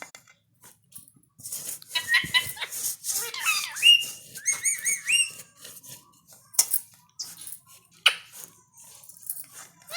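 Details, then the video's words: A talking parrot asking for food makes a run of clear whistled notes and short chattering, voice-like calls. Some notes are held steady and some rise or fall, with brief pauses between bursts. No other sounds stand out. "talking parrot"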